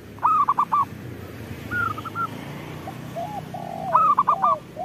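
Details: Zebra dove song for luring other doves to call: two loud, rapid bubbling bursts framing a short run of clipped coos and a few lower, drawn-out notes, over steady low background noise.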